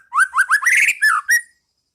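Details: Ngeplong song of a white-rumped shama, played to train caged birds: a quick burst of rising whistled notes merging into a rich warbled phrase, ending in two clear whistles.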